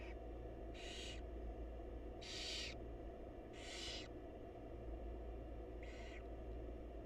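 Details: In a wild barn owl nest box where the mother feeds her chicks, four harsh hissing screeches, about half a second each, sound at uneven intervals over a low constant drone.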